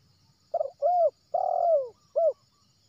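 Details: Spotted dove, wild, from West Sumatra; the call serves as a trapping lure. A rough opening note, an arched coo, a long coo sliding downward and a short final coo form one clear, low, mellow phrase.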